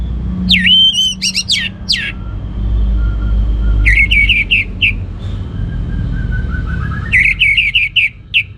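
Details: Orange-headed thrush singing ngeplong gacor. Loud whistled slurs open the passage, then runs of quickly repeated clear notes return twice, with a thin sustained tone and soft chirps between bursts over a low rumble.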